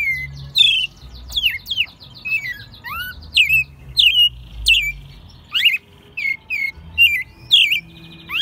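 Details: American robin raised from a chick and kept at home in Mexico City, recorded in March 2020; a lively, steady stream of high, slurred whistled phrases about every half second, with some rougher notes.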